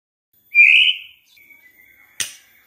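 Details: A White-rumped Shama gives one strong, clear whistled note, then a faint, thin, level whistle, ending in a sharp click. The recording is used as a lure to get shamas singing.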